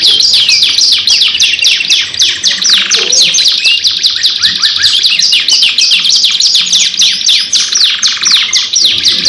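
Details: Pairing of two canaries in nonstop lure song: a very dense, loud stream of high, quick down-slurred notes and rattling trills, scarcely easing throughout.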